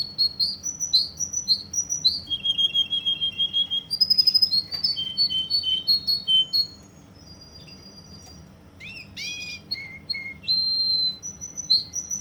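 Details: Russian canary from Kuwait delivering a long indoor song: rapid alternating whistled notes, a quick trill, sustained flat tones, a quiet pause, then sharp rising sweeps and further whistles.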